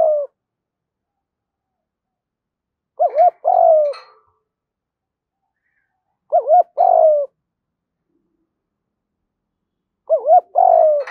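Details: Spotted doves, male and female, cooing to stimulate birds being trained; phrases of doubled rising notes and a falling coo recur roughly every three and a half seconds on a quiet background.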